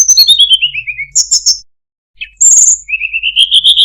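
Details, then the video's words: Melodious song of a Sunda robin (tledekan gunung): a descending series of sharp whistled notes, a short pause, then a bright trill and a rising run of whistles, clean with no background noise. "suara burung tledekan gunung, sangat merdu cengkok bagus"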